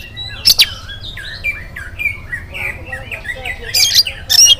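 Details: Oriental magpie-robin singing in the morning, meant to prompt other birds to sing: varied whistled phrases sliding between notes, with sharp loud bursts near the start and end, over a low steady hum.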